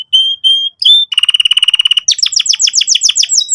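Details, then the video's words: Canary singing as a lure for young birds learning to sing: three long level whistles, a rapid even rattle lasting about a second, then a quick run of sweeping down-slurred notes. "pancingan burung kenari gacor cuit cuit emosi, kesukaan kenari muda belajar bunyi"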